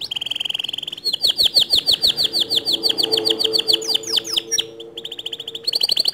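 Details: White male canary singing its standard long song: a steady buzzy roll, then a series of swept notes over a faint low hum, then a quick trill and a short pause.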